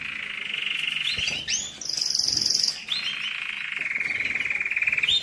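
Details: Canary song used to excite and stimulate males and ready females for mating during moult and rest: a fast mid-pitched trill, a short high buzzy stretch, then a long steady rolled trill.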